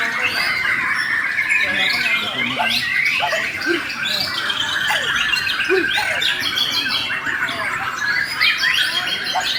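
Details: White-rumped shama of the Borneo type singing in an aggressive fighting style with strong volume: a dense stream of loud, varied whistled and buzzy phrases, fast trills and sharp notes, over a busy background with lower chattering sounds.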